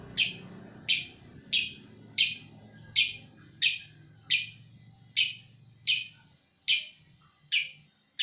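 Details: Lovebird giving the 'ngekek' song as loud, harsh, high chirps spaced evenly about two-thirds of a second apart, with a low humming background in the first part.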